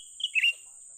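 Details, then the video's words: Young cucak ranting bulbul recorded while being lured for trapping. It gives a short, bright two-part chirp, a high note dropping into a slightly lower warbled one, against a constant thin high-pitched whine. "memikat burung cucak ranting muda mantap"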